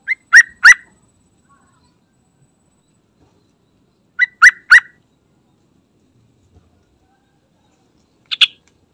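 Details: Yellow-vented Bulbul giving quick bursts of three bubbly, chirping notes, the phrases spaced about four seconds apart, with one higher note near the end; a lure call meant for a group of bulbuls.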